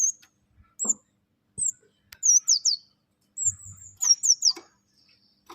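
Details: Small songbird's select song phrases, used for tutoring other birds: high, thin whistled notes sliding downward, given singly and in quick pairs or triplets with short pauses, plus a few soft clicks and a low brief rustle.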